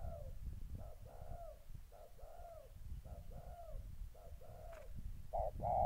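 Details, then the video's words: Decoy spotted dove in moult, kept in a cage, facing wild doves eager to fight, in Gia Lai, Vietnam, 14 August 2020; repeated mellow cooing phrases at a steady pace over heavy low rumbling background noise. "Cu gáy"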